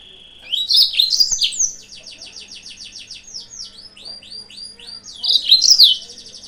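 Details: Lure song of a yellow-fronted canary to draw out rivals: an energetic chirping outburst followed by fast rolling trills of repeated high slurred notes, closing with a second loud twittering phrase; background otherwise quiet.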